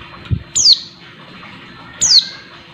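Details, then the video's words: Female Oriental white-eye calling to stir up and excite a male: two thin, very high, sharply falling chirps about 1.5 seconds apart over a steady low background hum. "pleci betina buat menaikan emosi pleci bahan"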